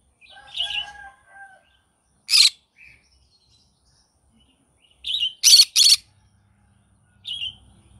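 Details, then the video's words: Morning calls of a green-cheeked conure: a wavering, nasal chatter at the start, then a sharp rasping squawk, and later a double burst of grating squawks with short chirps between. "Green cheek conure singing sounds in the morning"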